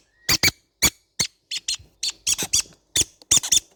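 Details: Baby green-cheeked conures calling indoors: a rapid series of short, shrill squeaky chirps with bright overtones, some paired, about ten in under four seconds, with a quiet room background.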